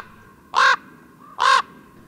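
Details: A Common Raven, a large, intelligent Polish bird that avoids towns and buildings, gives its dignified croak: two deep, resonant croaks about a second apart, each short and hollow-toned, over a quiet background.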